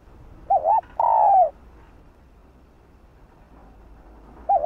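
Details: Female spotted dove cooing to stir males into calling: a short wavering two-part coo followed by a longer, slightly falling croo, then another wavering coo beginning near the end, over quiet background hum.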